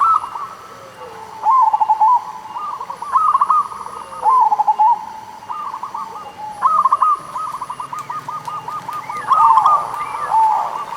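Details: Zebra doves of the local type singing, used as a lure for doves that are slow to sing: repeated bursts of crisp cooing notes with wavering, falling trills roughly every two seconds, over continuous fainter cooing.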